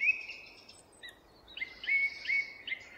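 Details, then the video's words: Forest birds singing: clear whistled notes near one pitch, a long steady tone followed by short repeated whistles about every half second, with fainter chirps above and soft background hiss. "Forest Birds song"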